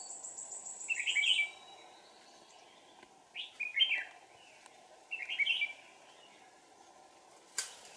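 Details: Decoy red-whiskered bulbul luring wild birds in deep forest: three short, chattering warbled phrases about two seconds apart, with a thin high whistle at the start, a sharp click near the end and a steady hiss.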